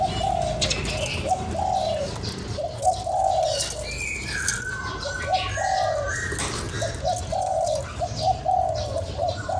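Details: Spotted dove cooing, played to stimulate a decoy bird: repeated low phrases of a short coo, a drawn-out hoarse coo and a clipped end note, coming every second or so, with faint higher chirps of other birds behind.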